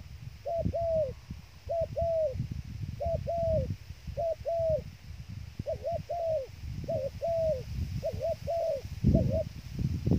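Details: Bait dove used for trapping coos steadily, each phrase a clipped note followed by a drawn-out slurred one, about eight phrases in ten seconds, with continuous low rustling and thumping underneath.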